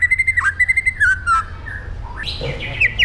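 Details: White-rumped shama delivering an aggressive 'pastol jahat' song: a fast series of pulsed whistles on one pitch, a drawn-out descending slur, then rising and falling whistled phrases.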